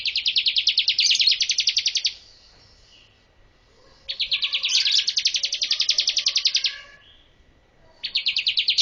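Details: Bar-winged prinia singing as a training master song, long rapid trills of high chirped notes lasting two to three seconds each, three bursts with brief pauses between.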